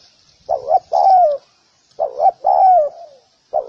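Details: Cooing of a spotted dove, a training sound: a paired short coo then a longer coo sliding downward, heard twice, and a third phrase starting at the end; faint high hiss behind.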